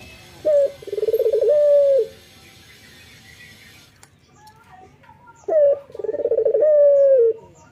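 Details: A male local Barbary dove in the morning gives two cooing phrases about five seconds apart, each a quick introductory note followed by a tremulous rolling coo and a steady, softly falling held tone.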